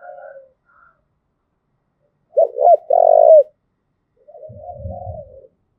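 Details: Thúc gù coo of a Đồng Nai spotted dove, used to excite and train decoy birds: one loud phrase of two short hooked notes and a drawn-out buzzy coo, then a quieter wavering coo with low rumble.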